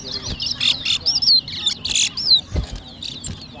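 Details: Competing towa towa seed finch in a 2023 Guyanese whistling contest at New Amsterdam, Berbice, gives quick sliding whistles and buzzy trills in short bursts, with a few dull knocks underneath.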